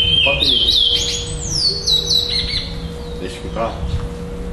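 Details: Chestnut-bellied seed finch, a black bird, competing in a Florianópolis, Brazil singing tournament on 11 December 2011 and taking second place. A rapid run of falling whistles opens the clip and then fades, with faint voices and a steady hum behind.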